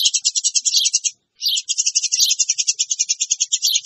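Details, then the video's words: Eurasian tree sparrows in a noisy lure: an almost continuous, busy stream of quick, scratchy chirps, interrupted by a single brief pause after about a second. "SUARA PANCINGAN BURUNG GEREJA RIBUT"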